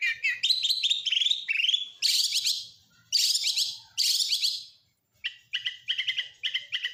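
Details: Oriental magpie-robin with a song heavy in imitations of lovebird, canary and prinia. It gives rich buzzy phrases in bursts, a short silence, then repeated crisp two-note chips.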